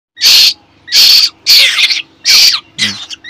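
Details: Hungry captive Asian koel chick, described as a baby black kokil shouting for food from its keeper. Four harsh, loud screeching bursts, each about half a second long, spaced roughly every 0.6 seconds.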